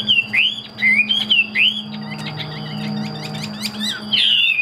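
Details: A captive Chinese hwamei gives looping whistled notes that swoop up and down, pauses for a softer, busier stretch of chatter, then ends with a bright descending whistle. A faint constant whine and low hum sit beneath.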